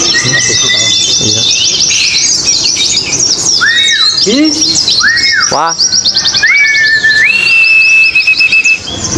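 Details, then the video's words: Oriental white-eyes competing on contest hanging poles: excited, fast high chirping series, several loud downward-swooping whistles, then rising notes that level into sustained whistles, birds overlapping throughout. "pleci ABIRAWA dan R7 adu mekanik di gantangan"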